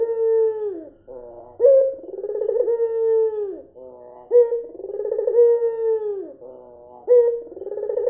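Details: Calling white dove with red eyes, used as a lure to draw calls from other doves. Three cycles of a short sharp note and a drawn-out, descending, tremulous coo, over a steady faint high whine.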